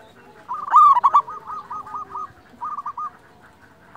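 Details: Local wild-type zebra dove song used as a lure and tutor recording to provoke and stimulate other doves. Two bursts of rapid, staccato, mid-pitched cooing notes, the first louder and longer, with quiet background noise.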